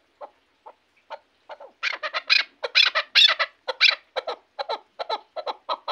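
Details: Chukar from Shahritus, Tajikistan, described as a fine hunting partridge: a few spaced chuck notes that build into a fast, loud run of rasping clucks, then continue in steady pairs.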